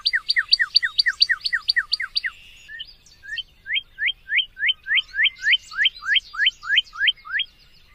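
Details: Northern cardinal singing a rapid series of sharp downslurred whistled notes, then a slower run of hooked, rising-and-falling whistles repeated about twice a second, loud and clear against a quiet background.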